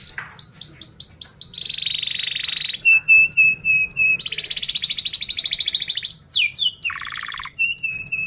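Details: Canary giving a rapid, tightly rolled song meant to teach young canaries: quick repeated high chirps, sustained buzzy trills, a clipped piping series and sliding whistles, all high-pitched and fast.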